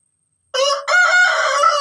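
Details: Aseel rooster (chicken) gives a short, harsh crow: a brief opening note, then a sustained, strained, harmonic-rich cry that holds steady before cutting off.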